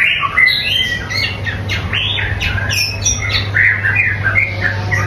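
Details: White-rumped shama in full song. A fast, varied run of rising and falling whistled phrases and chirps follows in quick succession over a constant low hum.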